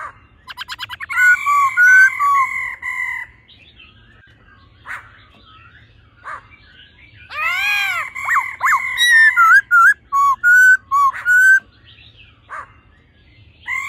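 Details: A male laughingthrush sings in a wild-forest style while a female calls, used to rouse a male bird quickly: rapid buzzy notes, sustained harmonic phrases, then a burst of arched notes and wavering whistles.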